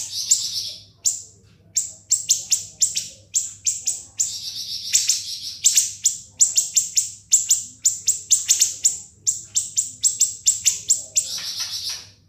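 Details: Siri-siri song used as a tutor recording for cage birds, a long continuous ngebren run: sharp, piercing notes falling from very high pitch, rapid buzzy bursts in between, repeated without pause for twelve seconds.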